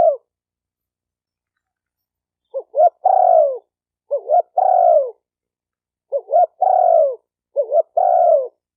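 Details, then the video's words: Spotted dove calls for exciting males, females and decoy birds. Four or five mellow phrases, each made of brief stuttering notes and then a long, gently descending coo, arrive at intervals of about a second or two. "Tiếng chim cu gáy kích bổi kích trống kích mái"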